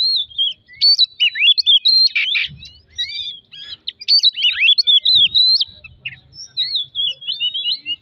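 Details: Oriental magpie-robin song played to provoke other magpie-robins into singing. Clear phrases of looping, rising and falling whistles repeat, separated by brief pauses. A short rasping burst and faint low thumps are also heard.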